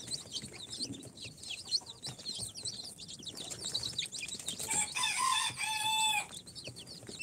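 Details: Four-day-old chicks from an incubator, Sultan, Golden Sebright, Cochin and booted breeds, chirp in a busy high chorus of repeated wavering peeps, followed by a loud, harmonic, crowing-style call lasting over a second.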